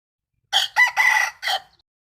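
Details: Rooster crowing, recorded 12 April 2022: one clear crow of four hoarse syllables over about a second and a quarter, the third drawn out longest, in otherwise silent surroundings.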